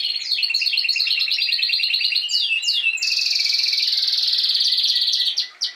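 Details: Spanish timbrado canaries singing, from a group including an adult of last season and young birds of this season learning to sing: rapid stepped pulsed trills, then a long, steady, buzzy rolling trill held for about two seconds before fading.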